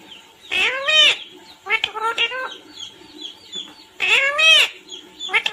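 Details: Talking pet parrot, said to say "mummy papa koun aaya hai": two strong upward-sweeping harmonic calls around short speech-like syllables, over a steady chorus of faint high chirps from other birds.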